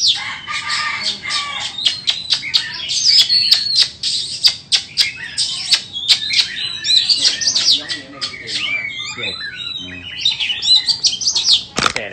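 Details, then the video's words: Rapid white-rumped shama song: clusters of sharp clicking notes and quick whistled slurs, growing into tumbling twittery phrases toward the end, with a quiet background hum. "Chích choè than bông"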